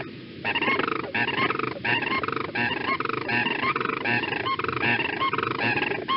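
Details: Sandhill Crane pair giving the unison call, typically done on breeding territory after defending it, after mating or to strengthen the pair bond (Illinois): loud, rolling, bugling rattles from two birds overlapping, in rapid bursts about once a second.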